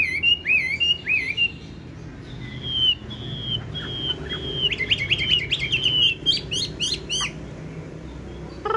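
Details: A large captive male Chinese hwamei (Garrulax canorus), described as 90% tame, with yellow legs and bill, sings loud varied whistled phrases of clear slurred notes, ending in a burst of rapid rising notes over a low background hum.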